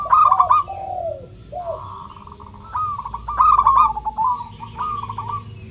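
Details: Crystal-voiced local zebra dove song meant to encourage other doves that rarely call: quick rolling coo trills, drawn-out level tones and falling slurred notes in a brisk sequence, with low rumble beneath.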